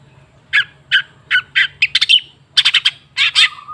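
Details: Cendet, the long-tailed shrike, in a lure track to make a silent bird sing: harsh, rasping notes in a loose series, then clustered scratchy bursts and a final buzzy note trailing into a low steady tone.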